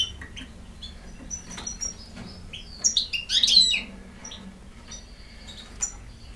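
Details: European goldfinch song of scattered high chirps and thin whistles building into a dense, liquid twittering flourish midway, then tapering back to sparse single notes against a low background hum.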